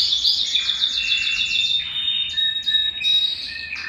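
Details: A Belgian canary sings to excite males and bring hens into breeding condition, a quick high rattling trill followed by a steady pure whistle and short clipped notes repeated in bursts.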